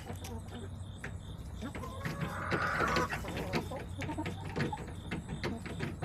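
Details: Backyard chickens in an urban homestead yard, 21 September 2024: a drawn-out hen call swells around the middle among scattered soft clucks, over a steady low hum and faint background noise.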